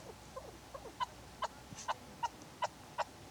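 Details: Female hunting chukar partridge uttering sparse, short, clucking notes spaced roughly every half second, over a quiet background.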